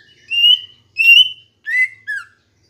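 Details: Cucak ijo, the green leafbird, singing a lure phrase meant to spur kept birds into song: four clean whistled notes, the first two level and high, the last two falling, in a clear quiet background.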